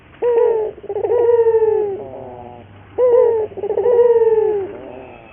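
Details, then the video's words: Local Barbary dove (burung puter) giving a lure song to train other doves to sing: two phrases, each a sharp short coo followed by a long, throaty, gradually falling note, separated by a short pause. "pancingan burung puter gacor, melatih burung puter lokal agar cepat gacor."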